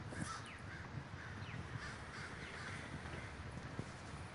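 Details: Crows at a big communal gathering in Davis, California, heard at a distance as a faint, steady murmur of many caws, with a few thin higher calls above a low rumble.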